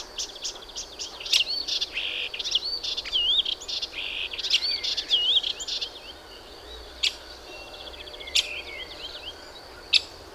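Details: Melodious warbler (Hippolais polyglotta) song: a fast, chattering run of varied high twittering and sliding whistled notes for about six seconds, then scattered sharp ticks over steady background hiss.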